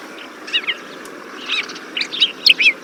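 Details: Desert Finch (Rhodospiza obsoleta) giving short, bright chirping notes, singly and in quick pairs, scattered across a few seconds over a soft steady hiss.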